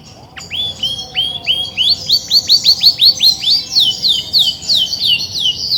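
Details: Grey-and-white Belgian canary hen sings a steady series of about fifteen rising whistled notes, repeated roughly three per second, gradually climbing higher, with faint high tinkling notes over them; a hen that sings much when ready to brood.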